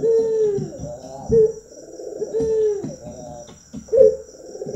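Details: Trained local Barbary dove cooing in its manggung style: deep, drawn-out coo phrases with brief emphatic notes, repeated roughly every one to one and a half seconds, over low rumbling background noise and faint clicks.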